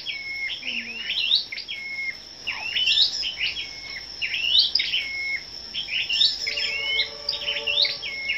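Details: A morning gathering of scarlet-backed flowerpeckers singing competitively on 10 May: lively high chirps with sharp upward flicks, repeated about every two seconds. Faint lower tones appear late, with a constant high whine behind.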